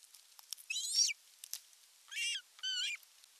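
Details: Ospreys nesting in Western Finland, 19 July 2022, with the male arriving carrying a large fish: three piercing, wavering whistled calls, each under half a second, separated by short pauses and scattered ticks.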